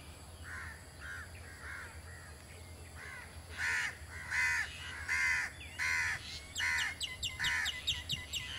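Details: At Jeram Mangrove Forest, Selangor, on 2 October 2010, in its season of appearance, a blue-tailed bee-eater gives rolling, burry calls about once a second, soft at first, then louder, ending with quick chirps, over a low steady hum.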